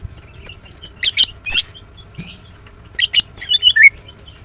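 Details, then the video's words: Female greater green leafbird chirping: two bursts of high, bright, clipped notes, the second ending in a short slurred whistle, with quiet gaps between and faint low background hum. "The female Green Cucak bird is chirping well"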